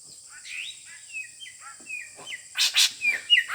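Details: Parent drongo from Sumatra, described as the fiercest, giving a run of short whistled notes that slur downward, several each second, then loud harsh noisy bursts near the end; a steady high electronic whine runs throughout.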